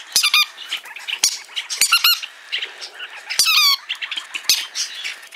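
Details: Pet green-cheeked parakeets kept at a hand-tame bird shop in Fukuoka, Japan, calling: harsh, raspy squawks with stacked harmonics, loud bursts near the start, around two seconds and at three and a half seconds, with sharp clicks and softer chatter between.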